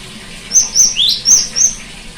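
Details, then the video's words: Cinereous tit song played as therapy to coax a silent bird into singing: five loud, thin, high whistled notes within about a second, a steady high note alternating with a lower, sweeping note, over quiet background. "terapi gelatik batu macet bunyi"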